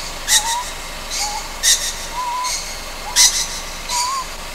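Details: Ryukyu scops owl juvenile calling after dark on Amami Ōshima: three harsh, breathy rasps in under five seconds, alternating with quiet, drawn-out whistled notes.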